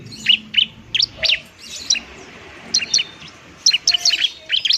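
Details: Bar-winged prinia, a semi-trained bird giving a fighting-style song used to lure birds and stimulate lazy singers; sharp, high chirps in quick clusters of two to four notes, repeated with short pauses throughout.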